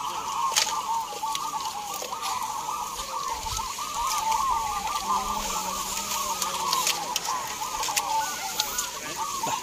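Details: Many local zebra doves sing at a contest in Gunung Kidul, Yogyakarta, Indonesia. Continuous overlapping rolling coos, with a brief low hum midway and occasional sharp clicks.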